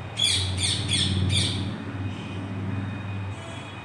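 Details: Indian ringneck parakeet, a wild bird that visits daily and answers a pet parrot's call from the top floor, gives four harsh, rapid squawks in the first second and a half, then falls quiet over low traffic rumble.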